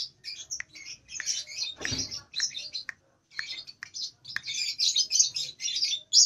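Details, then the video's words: Two-month-old lovebird practising its song, still short; scratchy chattering phrases broken by pauses, with a low rustling thump near the two-second mark. "LOVEBIRD PAUD Nyeklek Belajar Ngekek"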